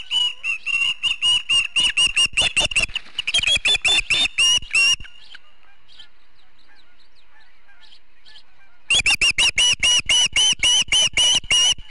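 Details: Osprey defending its Charlo, Montana nest from a harassing intruder, 18 July 2016, recorded by a bird cam; fast bursts of loud shrill chirps, a pause of about four seconds, then another rapid chirping series.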